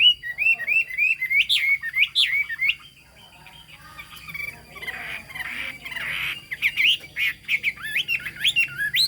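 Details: Chinese hwamei from the Hà Giang highlands of Vietnam sings bursts of loud whistled phrases, breaking into a harsher rasping passage midway before returning to quick, bright whistled notes.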